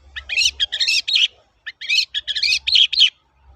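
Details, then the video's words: Lure song of a long-tailed shrike in the 'toet-toet' style, used for training birds: two tight clusters of sharp, high chattering notes, each about a second long, split by a short silence. "BURUNG CENDET GACOR TOET-TOET, PANCINGAN AMPUH SAAT INI"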